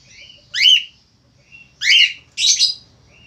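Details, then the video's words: Male Australian finch calling actively with three loud, sharp, high chirps spaced about a second apart, and faint softer notes between them. "FALK AUSTRALIA JANTAN GACOR"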